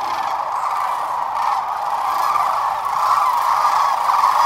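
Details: Sandhill cranes, a flock of about 12,000, at Whitewater Draw on February 19, 2021. Continuous roar of overlapping trumpeting calls, growing slightly louder toward the end.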